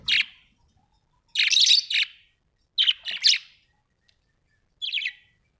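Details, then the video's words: Australian budgie parrots giving chirping sound: four clusters of harsh, scratchy, high chatter separated by short silences, each burst lasting under a second, in an otherwise quiet setting. "Australian budgie parrots l birds chirping sound"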